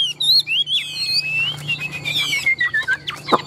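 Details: Tame, large-bodied Chinese hwamei, a caged bird said to sing very well in song contests, giving loud, varied whistled phrases that glide up and down, with a quiet low hum beneath.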